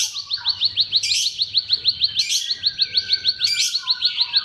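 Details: Bar-winged prinia (ciblek) song compilation used as a lure for silent, stalled or sluggish birds: a rapid string of sharp, high ticking notes about three per second, overlaid by brief buzzy flourishes and lower whistled phrases.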